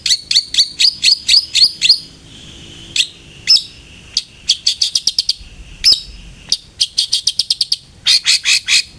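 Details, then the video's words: Long-tailed shrike song used as a lure to make a kept bird sing: rapid bursts of sharp, high chirps repeated about four per second in fast trills, with short pauses between runs. "PANCINGAN CENDET AGAR RAJIN BUNYI"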